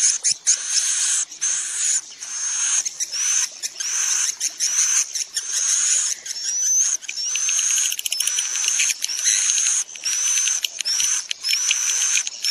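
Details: Swiftlet calls meant to lure the birds into a building to roost: dense, shrill, buzzy chattering with short gaps, overlaid by high thin whistles that rise slightly and repeat about once a second.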